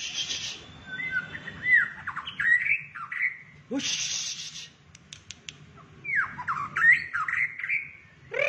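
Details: White-rumped shama, shrimp-tail form, performing 'rít thuốc lào' song: two bouts of scratchy, slurred, up-and-down notes split by a broad hissing burst and a few clicks, with a soft hum underneath.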